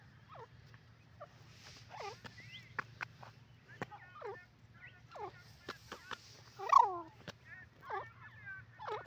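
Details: Caged black francolin at Khairpur uttering a series of short, hoarse, downward-curving notes about once a second, with a few sharp clicks and a low steady hum behind.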